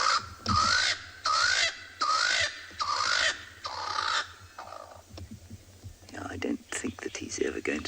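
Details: Swainson's spurfowl giving its territorial call on an African safari at sunset on 23 June 2020 in cold evening air: five harsh, grating crows in quick series, then fainter rasping notes as others call nearby.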